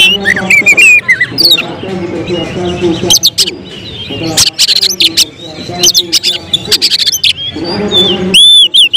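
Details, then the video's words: Oriental magpie-robin (kacer) being groomed for song contests, delivering tembakan-style bursts: dense stretches of high chirps, trills and sharp clicks, broken by quieter gaps, with low murmuring voices audible beneath the song. "Emosi berubah menjadi tembakan di menit menit genting, Kacer bakalan prospek lomba"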